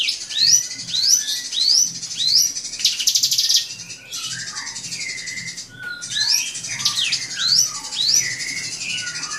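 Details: Drongo song provoking an opponent: rapid rising whistles and lower short notes, interrupted by a harsh buzzy burst and a pause, then resuming with quick slurred whistles.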